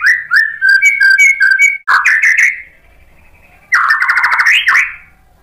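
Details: White-rumped shama singing to provoke another bird: short repeated whistled notes with clicks, then a loud buzzy harsh phrase, a quiet gap, and another rasping burst.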